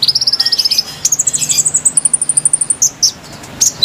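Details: Konin lure song: a fast, high twittering trill rising in pitch over about three seconds, ending with a few separate sharp chirps.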